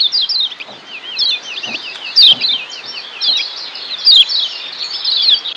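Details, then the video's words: Lombok yellow white-eye (kecial kuning) sings a fast, high, wavering twitter of looping whistled notes in continuous bursts, with faint background noise; a training recording meant to change a kecial's twittering "ngeriwik" song into "ngeplong" song. "Masteran Kecial Kuning"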